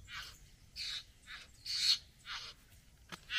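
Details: Satin bowerbird courting a female at the bower: a series of five or six short hoarse, hissing churrs spaced about half a second apart, ending with a sharp click.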